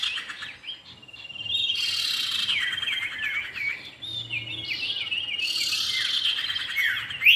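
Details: Common iora male and female in lively exchange: fast curling whistled notes and slurs, overlapping chirps building into a dense burst, then a strong whistle to close.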